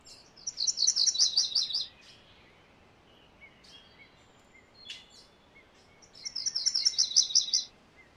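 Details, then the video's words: MacGillivray's warbler repeating its song twice about five seconds apart: each a fast, rolling series of doubled chip-like notes lasting over a second, with scattered faint calls from other birds between. "MacGillivray's Warbler Song ! MacGillivray's Warbler Sounds ! MacGillivray's Warbler Call"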